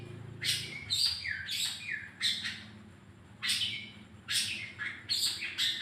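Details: Lure song of a long-tailed shrike meant to prompt singing: clusters of harsh, scratchy notes mixed with short whistled slurs, loud bursts separated by brief pauses, faint low hum beneath.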